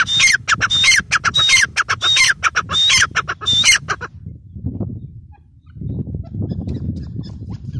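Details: Female grey francolin (teetar) calling: a fast run of harsh, ringing notes with a sharp whistled tone, repeated about every half second for four seconds, then only low rumbling background noise.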